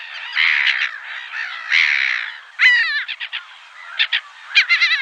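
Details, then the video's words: Black-headed gull calls: harsh, raspy squawks with bursts of short clipped notes, several birds overlapping over a steady hiss of background calling. "Reclamo de Gaviota Reidora (Chroicocephalus ridibundus)"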